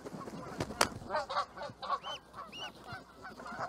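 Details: Canada goose calls: a sharp click near the start, then a quick run of short nasal honks about two per second, a few higher arched honks toward the end, over a low background rumble.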